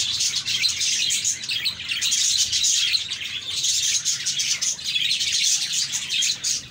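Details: Budgerigars in a group chirping and chattering without pause, a dense wash of high, scratchy warbles and tweets that overlap throughout, with no other clear sounds.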